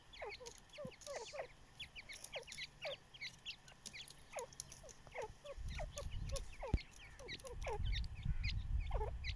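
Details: Several baby chicks enjoying the sun, peeping constantly in short high descending notes, about two or three a second, with rumbling handling noise in the second half.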